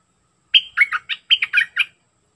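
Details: Sooty-headed bulbul, a wild bird, in a single bright phrase: a high whistled start, then a tumbling series of about seven short, bubbly notes, with quiet around it.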